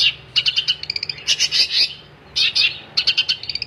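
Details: Gacor-style singing from a long-tailed shrike, with quick trills of sharp high notes followed by louder buzzy phrases and a brief pause before the chatter resumes.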